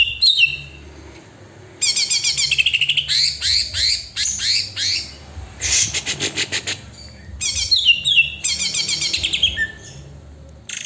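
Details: Greater green leafbird in energetic song, mixing rapid chirped trills, descending slurred whistles and harsh buzzy bursts in varied phrases broken by short pauses.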